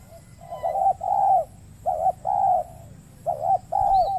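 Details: Spotted dove, wild, answering a trapping lure on peatland in Riau Islands, Indonesia; soft throaty coo phrases, a short note then a longer drawn one, repeated in clear groups over low background rumble.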